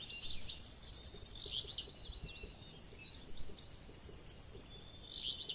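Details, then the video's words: Singing Tennessee warbler delivers a long, loud, rapid trill of sharp high notes for nearly two seconds. Quieter chipping follows, then a second, softer trill, with a faint thin whistle behind. "El Chipe Peregrino"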